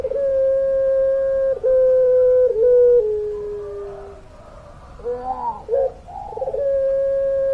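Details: Puter pelung dove giving its long drawn-out song: level hooting tones that step down in pitch across several seconds, a quiet pause, warbling broken notes, then another steady held coo.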